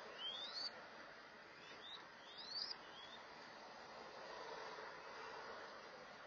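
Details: Mourning Dove chicks at feeding time give their thin, high, rising 'thweet' squeaks in quick bursts, a few times over several seconds, against a steady hiss of background noise.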